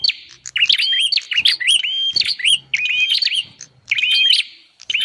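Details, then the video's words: Bar-winged prinia calling, played as a lure to gather wild birds: sharp clicks and upslurred notes leading into level whistles, several overlapping phrases, with a low hum and ticking beneath. "suara pikat burung prenjak"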